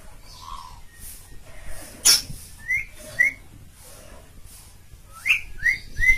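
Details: Asian pied starling in lively, persistent song, meant as a model for training other songbirds: short separated upslurred whistles, one sharp click, then a quick run of three rising whistles near the end over faint background hiss.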